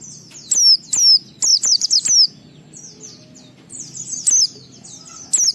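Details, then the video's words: White-eye ngalas song meant to provoke other white-eyes into singing: bright, thin chirps falling in pitch, delivered in uneven bursts of several notes with soft twittering between. "Suara Burung Pleci ini Raja Menggoda Semua Pleci cepat Ngalas Ngeplong Gacor"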